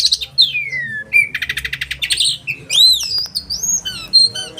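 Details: Oriental magpie-robin singing in the sharp 'roll' style with 'tembakan' shots, used for training caged birds: a descending whistled slur, a rapid buzzy trill, then arching upslurred whistles and short high notes.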